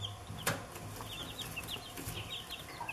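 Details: Several chicks give thin, high peeps that slide downward, repeated rapidly and overlapping, with one sharp click near the start and a low steady hum underneath.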